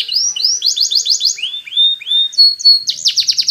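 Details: Canary song used to train canaries: quick rising chips into a rapid repeated series, then slurred downward whistles, a short pure held note, and a closing buzzy rapid trill.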